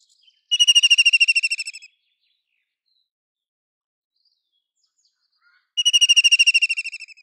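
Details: White-throated kingfisher giving two loud, rapid, pulsed trills, each about 1.3 seconds long and fading at the end, separated by roughly four seconds of silence.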